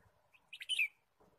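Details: Red-whiskered bulbul chirping in forest during a day of bird trapping, 23 March 2017: one quick burst of four bright, sharp notes sliding downward, with faint low rustling before and after.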